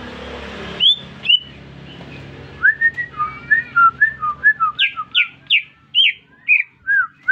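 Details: Caged greater green leafbird, new to its owner, singing after being whistled at: two isolated high whistles, then a rolling sequence of slurred notes that climbs into loud, descending high whistles repeated about twice per second.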